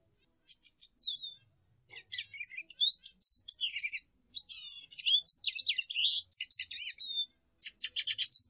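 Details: High, jumbled twittering from a lesser goldfinch, with sharp chips, slurred whistles and quick trills delivered in bursts separated by brief gaps. Quiet overall.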